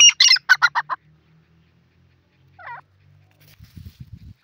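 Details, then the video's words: Grey francolin call from Pakistan, used for trapping wild francolins: a quick burst of about eight harsh, clucking notes within one second, then a single short note and faint low rumbling afterwards. "teeter boli grey francolin video teetar shikar voice"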